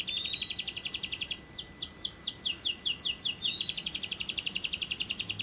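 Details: Lovebird giving a long ngekek trill, used as a lure to prompt lovebirds to sing by day and night: a rapid, high, chattering series of sharp notes running continuously, with brief sweeping whistles mixed in.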